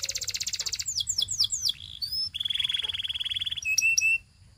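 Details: Canary song used for training, varied and fast: a buzzy high trill, then several descending whistled sweeps, a long rapid rolling phrase on one pitch, and a few sharp high notes before it stops abruptly.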